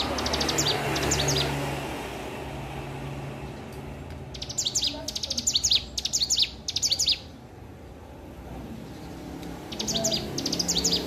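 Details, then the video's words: Hill prinia learning to sing, giving several separate bursts of fast, high, clicking chirps and short trilled phrases, with gaps of low background hum between the bursts. "ciblek gunung belajar bunyi"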